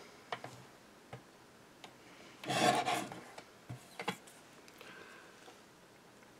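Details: Indoor scraping and rubbing, like filing or sanding, with scattered light taps and clicks and one louder rasping burst in the middle; no animal voice is heard.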